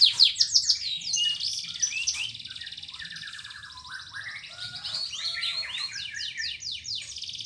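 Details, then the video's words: Canary song meant to restart canaries that stopped singing: a rich continuous warble of trills and rolls with varied slurred notes, softer in the middle, with faint low background hum. "PANCINGAN BURUNG KENARI GACOR ADA JEDA"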